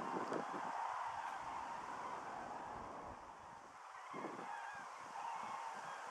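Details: A migrating flock of common cranes at Lattomeri, Pori, Finland, on 9 September 2012, gives loud, overlapping trumpeting calls, many birds bugling at once in a steady chorus, with a faint wind-like hiss behind.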